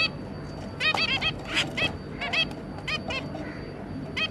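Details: Zebra finches, a pair and their three juvenile young, recorded 2 August 2022, giving a busy string of short nasal beeping calls in overlapping bursts over a steady low background hum.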